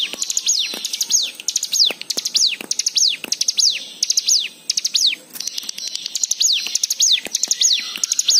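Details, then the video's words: White-eye song serving as a lure for other birds to sing: a lively, continuous medley of high chirps, clicks and falling whistled slurs, repeated in quick phrases throughout. "Pancingan Cigun Agar Bunyi"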